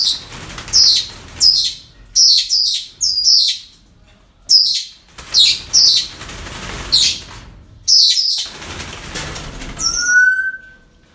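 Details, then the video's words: Parrots calling at a breeding centre on an ordinary day: a rapid series of short, harsh, descending squawks in clusters, followed by a single clear whistled note near the end. "Relajación Loros En El Centro De Cría"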